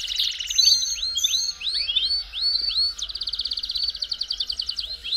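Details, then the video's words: Belgian canary song used to warm up a canary: bright rising whistled notes repeated in quick series, then a fast rattling high trill, over a faint low hum. "CANTO PARA ESQUENTAR CANÁRIO BELGA RÁPIDO"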